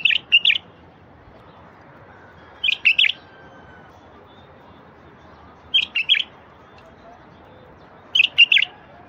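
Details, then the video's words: Bulbul song used to prompt silent wild bulbuls into singing: four short, bright, bubbly double-note phrases, spaced roughly every two to three seconds, over a quiet, faint background hiss. "تغريد لفتح البلابل الوحشية الساكتة"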